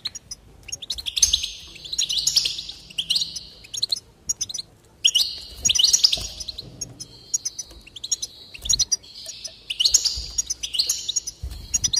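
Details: Long stretch of goldfinch song used to stimulate singing: twittering bursts alternate with long nasal, buzzy notes, and sharp clicks scatter between the phrases. Low background hum throughout.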